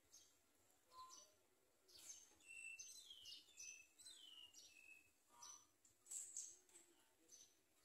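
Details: Yellow bulbul nest where a parent arrives with food for the babies; a busy run of sharp high chirps and short whistled slurs, some rising, others dropping, spaced irregularly across the stretch.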